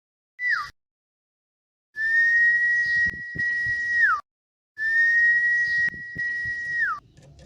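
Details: Male common iora learning to sing: long, steady, pure whistles held about two seconds each, ending with a quick downward slur, with a short whistle first and pauses between phrases; faint clicks and tapping in the background.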